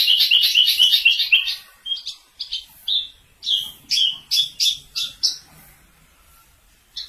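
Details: Javan bush lark from Kulon Progo opening with a rapid dense trill of chirps, then separate bright whistled notes and short rising slurs spaced under a second apart, trailing off into quiet.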